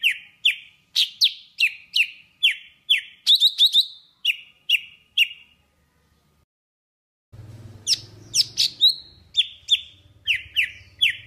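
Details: Golden-fronted leafbird singing in Vietnam, a lure recording for bird trapping: clear down-slurred whistles repeated about twice a second, a short silence, then the same notes resume over a low rumbling background.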